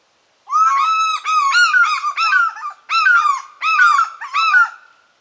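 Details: Ringing, repeated yelps of an African fish eagle: a drawn-out first note followed by rapid, falling, slightly hoarse barks in two rhythmic bursts, with silence before and after.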